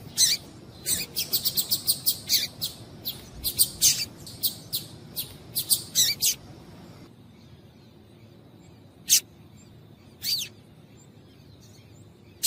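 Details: Female double-collared seedeater (coleiro) calls, used to stimulate males to sing: thin, high chirps in a quick burst of about twenty notes over six seconds, then a few scattered single chirps in quiet.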